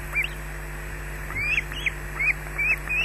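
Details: Osprey at a nest in Scotland, calling while another osprey attacks at the nest: clear, shrill, rising whistled squawks about every half second, each ending in a sharp upturned note, over a steady low hum.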